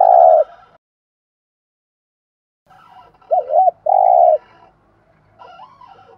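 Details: Decoy spotted dove cooing to draw in wild doves. One full phrase, a wavering double note and then a steady drawn-out coo, follows the tail of an earlier coo. Faint chirping comes after it.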